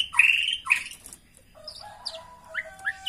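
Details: Female white-rumped shama calling to arouse a male's breeding drive, used by breeders: two loud downward-slurred whistles, then softer scattered whistled notes, some long and level, some short rising chirps.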